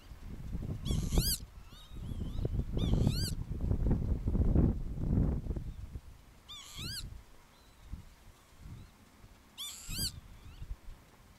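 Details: Northern lapwing at Oostpolder, Groningen, Netherlands, where young lapwings are present, giving four thin, wheezy, slurred calls a few seconds apart, rising then falling in pitch, over a heavy low rumble of wind.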